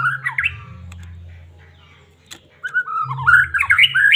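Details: White-rumped shama of the Medan type, singing to stir a caged shama into singing and excitement; loud, varied whistled phrases, slurred up and down with quick chattering notes, over a steady low electrical hum and a brief click.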